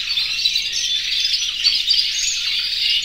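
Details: Breeding-condition canaries in a large aviary flock singing to call the female; short, dense burst of overlapping high-pitched warbling and chirping, with a few louder notes standing out.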